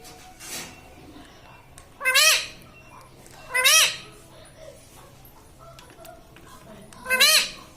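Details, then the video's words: Parrot kept indoors talking "mummy papa", three clear squawky rising-falling utterances about one and a half seconds apart, after a faint opening note, over a light background hiss. "Parrot talking mummy papa"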